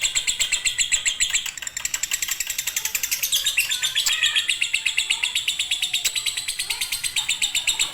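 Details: Lovebird konslet song from a fighter bird, meant as a master for birds unwilling to sing; fast, even, high-pitched chattering notes, roughly four each second, continuing without a break.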